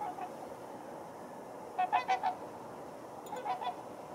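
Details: Trumpeter swans crowded on a water hole give short, horn-like honks, a quick run of three and then two more, over a steady background hiss.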